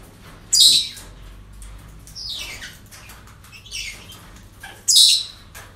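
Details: Parrots calling at a breeding centre on an ordinary day: sharp, harsh squawks spaced a second or more apart, loudest at the start and near the end, over a low steady hum.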